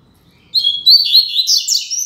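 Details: Loud, firm song of a double-collared seedeater: a thin, high, slightly rising whistle opens, then breaks into a rapid run of buzzy, chattering phrases with fast sweeps. Almost no background noise.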